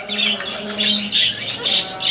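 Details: Three-year-old male ring-necked parakeet, semi hand-tamed and kept as a pet, giving a run of short, bright, high chirping notes about every half second over a steady low hum.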